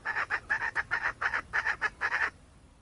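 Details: Wild red junglefowl hen calling: a fast run of about fourteen clipped, clucking notes, some paired, over two seconds, then sudden quiet.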